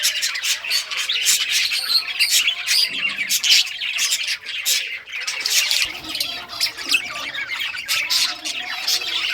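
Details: Multiple rare-coloured budgerigars playing with toys on June 18, 2023, giving a busy stream of chirps, short squawks and warbling chatter, with notes overlapping throughout.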